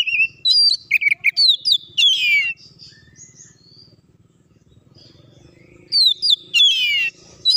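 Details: Oriental magpie-robin (kacer) in energetic song, played to provoke other birds: fast buzzy and sweeping notes in bursts, a quiet stretch of a few seconds, then another rapid burst.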